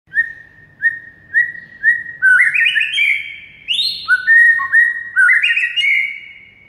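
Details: White-rumped shama master recording meant to get silent shamas singing: clear whistled notes repeated about every half second, then a run of loud rising and sliding whistles with brief high chips.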